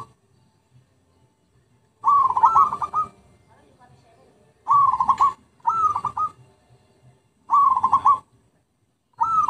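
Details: Zebra dove song used as a lure: after two seconds of quiet, five stuttering phrases, each a rising coo trailing into rapid pulsed beats, repeated at irregular intervals.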